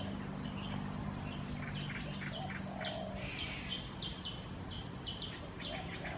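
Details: Black-headed bulbul in Sa Phang subdistrict, Khao Yoi, Phetchaburi province, Thailand, 6 and 9 December 2020; a busy run of sharp chirps and clipped whistled notes, some overlapping, with a low hum and faint rumble beneath.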